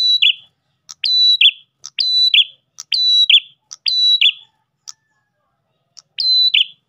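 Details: Lure song of an Ash tailorbird, used to attract other tailorbirds. Seven quick phrases sound roughly once a second, each a clipped tick leading into a level piercing whistle and a rasping falling tail, with one longer pause before the last.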